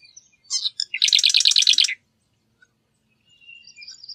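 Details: Marsh wren giving one song, a few sharp introductory notes then a fast, rattling, buzzy trill of about a second, with faint thin whistles afterward.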